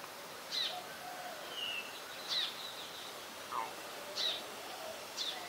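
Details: Brown shrike, wintering in Ubon Ratchathani, Thailand, recorded 3 January 2021. It makes repeated short scratchy chack notes at irregular intervals of roughly one to two seconds, five in all. Faint whistles from other birds sound in the background.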